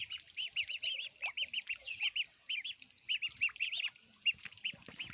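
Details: Ducklings peep steadily while they eat, each note short and arched, strung in runs of three to six with brief pauses between; soft tapping and rustling sounds underneath.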